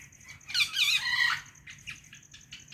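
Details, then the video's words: A white ringneck parrot kept as a pet lets out one long harsh, raspy squawk lasting nearly a second, followed by a few softer chattering notes, over a faint continuous high hum. "White Ringneck Parrot Chirping"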